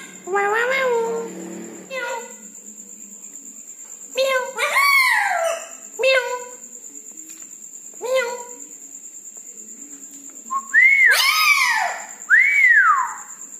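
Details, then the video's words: Red-breasted parakeet calling at night, in full voice: a varied series of loud harmonic squawks and upslurred, arching whistles in short bursts about every two seconds, with a steady high electronic tone in the background. "Nuri Paltem Gacor diMalam Hari"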